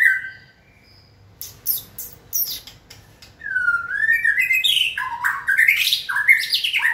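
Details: Caged white-rumped shama in training, stimulated to sing: after a quiet start with a few short notes and clicks, a run of sliding whistled phrases builds into loud, varied, rising and falling notes.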